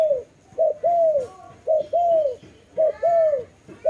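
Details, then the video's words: A dove coos in low, hollow notes, a short note followed by a longer drawn-out one, repeated about every second and a quarter. "Lovely dove/ lovey sounds"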